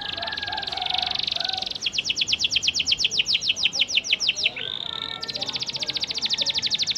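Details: Panda canary singing a lure song meant to prompt quiet canaries to answer: a buzzy held note, then a long rapid trill of sharp high strokes, a brief whistled slur and another fast trill, with faint lower chirps behind.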